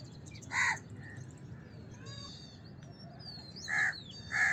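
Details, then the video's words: Scattered harsh caws of a house crow, one early and two near the end, separated by stretches of faint high bird chirps. "House Crow Sound! House Crow Sound Effect! House Crow Call!"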